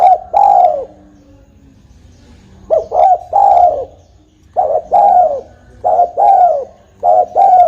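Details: Spotted dove lure call for trapping: repeated low, mellow cooing phrases of two or three short notes followed by a longer drawn coo, the phrases spaced about every one to two seconds.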